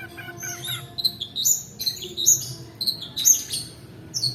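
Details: Lure recording of a long-tailed shrike singing in the extended 'roll' manner for training other birds: high squeaky chirps repeated about once a second, with sharp piercing accents and a faint low hum behind.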